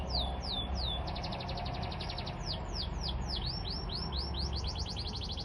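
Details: Masteran bird song, played so that other birds answer: rapid series of sharp, high downslurred whistles, repeated several times a second in bursts, over a steady low hum and background noise.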